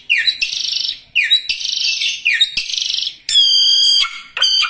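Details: Songbird singing energetically, repeating a pattern about once a second: a sharp rising chirp opens into a buzzy, rattling trill. It ends with clear, steady whistled notes.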